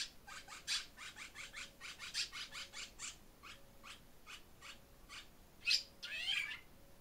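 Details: Barn swallow pair at their nest in spring, giving a long series of quick, high, evenly spaced chirps roughly three per second, ending in louder scratchy twittering notes, over a faint steady background hiss.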